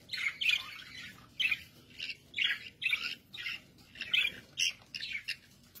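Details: Budgerigars kept as cage birds uttering short, buzzy chirps repeated roughly twice a second in a steady rhythm, each note a brief harsh burst.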